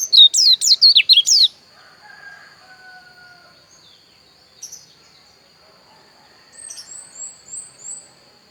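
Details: Javan white-eye (pleci dakun) of Pupuan, Bali, opens with a brief rush of quick, high slurred whistles lasting about a second and a half, followed by quiet with faint lower tones and a few soft high chirps.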